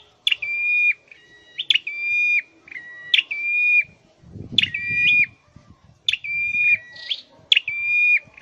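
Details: Six even, whistled notes from a caged scarlet-headed flowerpecker in singing training, roughly every 1.4 seconds, each opening with a crisp click and ending in a slight downward step, with a faint rustle midway.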